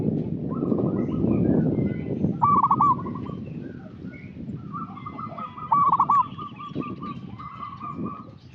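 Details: Active local zebra dove giving a lure call meant to draw out untrained birds: bursts of quick, stuttering mid-pitched coos near 2.5 and 6 seconds, fainter cooing between them, and low rumbling noise early on.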